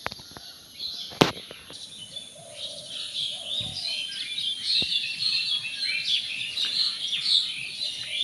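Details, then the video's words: Unseen birds chirping in a garden with evening flowers, a dense overlapping chorus of high twittering notes, steady through the clip, with a sharp knock near the start. "পাখির কিচির মিচির ডাক শুনতে কার না ভালো লাগে।।"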